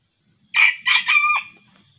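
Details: Wild junglefowl at a lure in pre-dawn darkness, answering aggressively with a three-syllable crow of about one second: a harsh opening note, then two joined, strained phrases that drop at the end. A faint steady high insect hum runs behind it.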